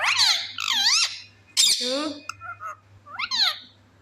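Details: Pet talking parrot indoors producing squeaky, warbling speech-like sounds and rising whistled squawks in short bursts, a steady low hum in the background.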